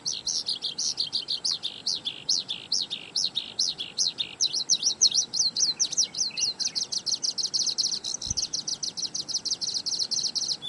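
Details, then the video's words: Skylark at Zhushan, 23–24 May 2011, pours out an unbroken, high, rapid warble of varied chirps and trills running together into a fast, buzzy stream with no pauses. "小調歌王~小雲雀 Skylark~Folk song star"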